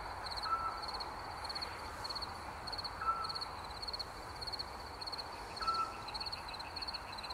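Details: A Eurasian scops owl in woods at night gives short, pure whistled notes, one every two and a half seconds, over a steady pulsing chorus of crickets.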